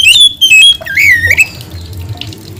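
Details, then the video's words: White-rumped shama in vigorous (gacor) song: a few sharp high whistled notes followed by a longer wavering slurred whistle that dips and climbs, over a soft steady background hum. "coba mp3 kacer gacor ini"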